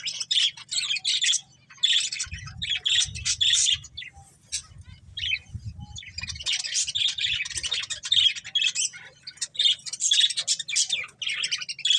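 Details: A breeding pair of budgies chatters almost nonstop in a busy, high, scratchy warble mixed with sharp squawks and brief pauses. A soft low rumble sounds for a few seconds early on.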